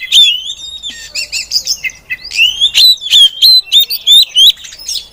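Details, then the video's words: Female Oriental magpie-robin singing, used to lure other magpie-robins into song: a loud, varied run of clear whistled notes, slurred upsweeps and sharp chips, delivered rapidly and irregularly at high pitch. "suara burung Kacer betina"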